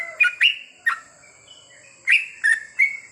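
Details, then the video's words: Sooty-headed bulbul at night in a goklik therapy recording: a handful of sharp, bubbly whistled notes, then a pause of about a second, then three more chirps, over a thin steady high tone. "terapi trucukan di malam hari ‼️agar mudah nropel goklik panjang!!"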